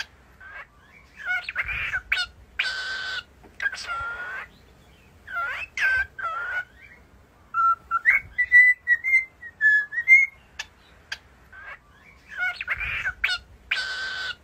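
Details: Happy singing cockatiels: harsh buzzy screeches alternate with a whistled melodic phrase of level and rising notes mid-clip, then more grating raspy calls at the end.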